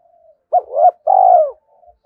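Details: Spotted dove decoy call, used to provoke and lure males: a short low coo, then a longer, louder, slightly falling coo with a soft rough edge, with faint murmuring before and after.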